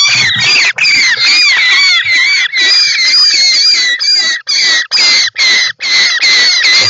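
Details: European roller (Coracias garrulus) inside its nest, filmed by nest camera on 18 July 2024, gives loud, harsh, rasping calls in a rapid, nearly unbroken series of about two per second; finding: European roller.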